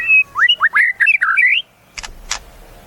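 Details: White-rumped shama song: a rapid run of rising and falling whistled slurs, fluty and varied, followed by two sharp clicking notes after a brief pause.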